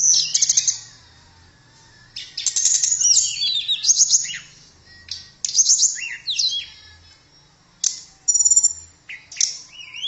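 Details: Tledekan, a blue flycatcher, singing in bursts of high, sweet, rapid twittering phrases with quick rising and falling whistles and trills, separated by short pauses; a faint low hum runs underneath.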